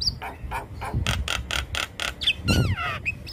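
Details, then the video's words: Black-winged starling training song for young birds: a series of rhythmic broad husky notes, then a falling whistled glide and a shrill whistle, over a low rumbling background hum. "Masteran Jalak Kebo Full Isian Pas Buata Jalak Kebo Muda"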